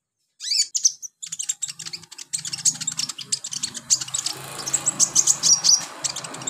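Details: Kolibri ninja sunbird, used as therapy to get birds singing, pours out a dense run of very high, thin chirps and ticks, quickening into a near-continuous twittering stream, with a faint low hum underneath.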